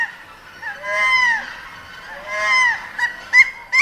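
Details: A single captive Hawaiian goose in a collection, with distant collection sounds; two drawn-out, nasal, moaning calls that rise and then fall, followed by three short, sharp honks.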